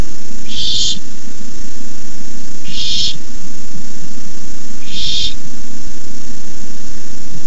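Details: Barn owl owlets hissing at the nest at night as an adult delivers a rabbit; three harsh, breathy hisses about two seconds apart over a steady low hum.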